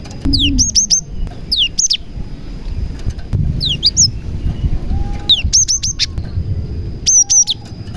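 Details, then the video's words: Cinereous tit singing actively, its song carrying prenjak (prinia) imitations, meant to coax silent tits into song. Each phrase opens with a falling slur and then three or four sharp high chirps, repeated roughly every one and a half seconds. "BURUNG GELATIK GACOR ISIAN PRENJAK • AMPUH MEMANCING BURUNG GELATIK LAIN AGAR CEPAT GACOR"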